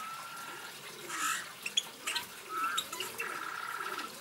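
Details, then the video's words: A Eurasian bullfinch (Pyrrhula pyrrhula) gives a few soft, low piping whistles mixed with brief creaky, scratchy notes, over a steady background hiss. "songs Bullfinch goudvink"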